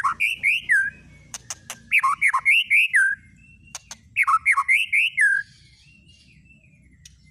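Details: Provoking lure song of a white-rumped shama: loud fluty whistled phrases in three bursts, each a quick run of rising and falling notes, separated by sharp clicks and short pauses.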